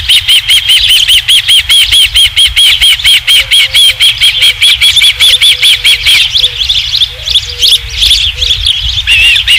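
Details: Osprey at the Dunrovin Ranch nest, 27 July 2016, third fish: a long, steady string of loud, high whistled chirps, roughly two to three each second, with soft low hooting notes underneath midway and a few harsher squeals at the end.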